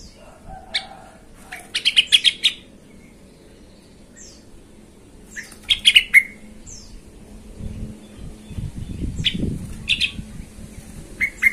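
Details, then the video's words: Yellow-vented bulbul in an agitated state, played as a lure to make other bulbuls sing; two clusters of rapid chattering notes, then softer scattered chirps against a low rumbling background. "TRUCUKAN EMOSI BONGKAR ISIAN❗BIKIN TRUCUK LAIN SEKALI DENGAR AUTO KOAR KOAR❗"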